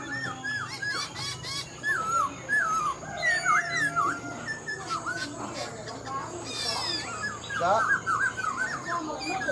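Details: Older wild-caught Black-throated laughingthrush, partly tamed and kept in a cage, sings a continuous series of wavering, looping whistled phrases, some notes dipping and rising, with a brief burst of higher twittering near the middle.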